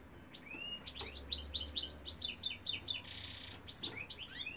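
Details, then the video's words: Singing male European goldfinch: a quick run of bright chirped notes rising and falling, a short harsh buzz midway, then more rapid twittering. "goldfinch cock singing"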